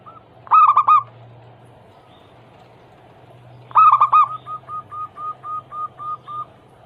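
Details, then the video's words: Zebra dove song for prompting other doves: a loud stuttered cluster of coos, a long pause, another loud cluster, then about nine soft, evenly spaced short notes, over a faint low hum. "Masteran Pancingan harian burung perkutut Anggungan paling ampuh langsung bunyi hitungan detik"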